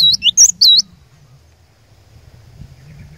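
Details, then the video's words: Three quick high whistled notes from a cinereous tit decoy bird meant to stir other birds into song, then only faint low background noise. "Kicauan Glatik Batu Pikat Gacor Door, Cari LAWAN...!!! Dijamin Cepat Bikin Glatik Lain Bunyi Gacor"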